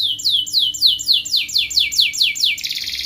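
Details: Energetic canary song meant to stimulate lazy canaries to sing, in ngerek mbarong style. About nine clear downward-sweeping whistles come in steady succession, ending in a quick dense trill.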